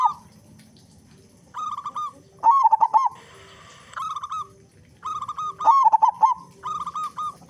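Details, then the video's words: Local zebra dove with a big voice, used as a lure so doves sing sooner: rolling trilled coos alternate with loud stuttered phrases, with a brief broad hiss between them. "Perkutut Lokal Gacor Suara Besar Pancingan Burung Perkutut Agar Cepat Bunyi"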